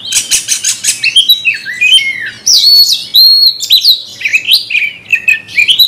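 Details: A magpie-robin, provoked by a rival, pours out a fierce, continuous song: rapid buzzy trills at the start, then loud whistled swoops, scratchy notes and sharp upward slurs.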